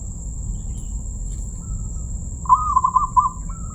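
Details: After a quiet stretch of low rumble, a crystal-voiced zebra dove delivers one brief trilled coo of quick pulsed notes at an even pitch, ending with a soft rising tail; a faint steady high whine persists.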